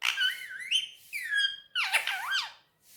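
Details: Indian ringneck parakeet talking on a table in Urdu/Hindi: three loud, whistled, voice-like phrases with swooping, wavering pitch, close and clear indoors.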